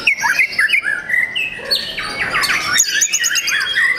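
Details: Loud, varied singing from a young captive white-rumped shama: clear rising and falling whistles, a harsh, crackling burst around the middle, then fast repeated chips and whistled slurs.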